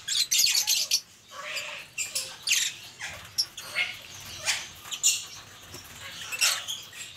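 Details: Pet talking Indian ringneck parakeets in an angry mood give harsh, raspy squawks in short bursts, repeated roughly every half second to second, loud and noisy with no clear whistled tone.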